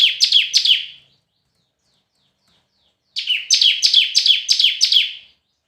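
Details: Short red-whiskered bulbul competition phrase of three quick falling notes, then a pause of two seconds and a longer run of about seven ringing, high, downslurred notes.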